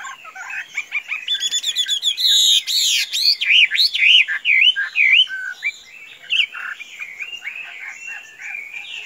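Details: Chinese hwamei, tame enough to be let free without flying away, pouring out a loud, varied song of rapid rising and falling whistles and trills that fades into softer warbling.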